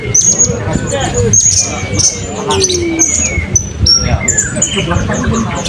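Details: Competition song of a blue-crowned hanging parrot at Balingian's 2024 open songbird contest: very high, piercing whistles repeated in quick phrases with brief pauses, set against a loud murmur of people talking.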